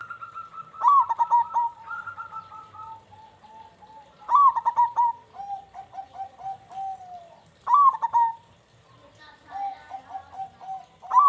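A zebra dove gives its soft, rapid, stuttering coo, a bubbling trill that falls into a lower purr and repeats every three to four seconds.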